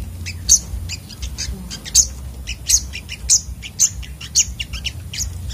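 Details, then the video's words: Sunbird in a fierce, agitated therapy recording: shrill high chirps in a busy, broken stream, with louder piercing notes about every half second. "burung sogok otong terapi ngamuk"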